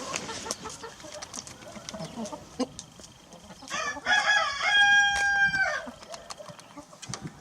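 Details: Grey rooster eating cookies from a person's hands, crowing: a loud, harsh, harmonic-rich crow lasting about two seconds, held then cut off. Scattered pecking clicks and taps are heard before and after.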